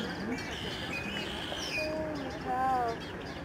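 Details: Snow geese in huge flocks fly over the Fraser River estuary at Delta, BC, Canada, in late March 2011. A few drawn-out, harmonic honks stand out against a dense distant flock murmur, with voices audible.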